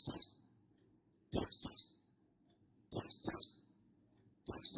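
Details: Mountain white-eye of the Buxtoni type giving rival-calling notes in full wild-style voice: high, thin chirps that drop in pitch, mostly paired and repeated roughly every one and a half seconds, with a clean quiet background.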